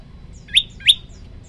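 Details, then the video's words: Prinia giving two sharp, upslurred chirps about a third of a second apart, bright and high, over a faint low hum; a moss prinia master recording, a 40-second burst in one breath. "tembakan 40 detik sekali napas masteran prenjak lumut"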